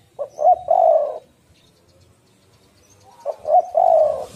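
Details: Female spotted dove calling to lure and stimulate males: a short note, a quick double note, then a long rolling coo. The phrase repeats after about two seconds of quiet.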